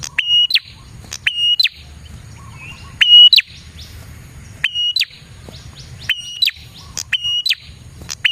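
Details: Energetic prinia singing, used to draw in prinias: repeated bright phrases of a clipped start, held high whistle and descending flick, roughly every second, with scattered softer chirps and a low murmur behind.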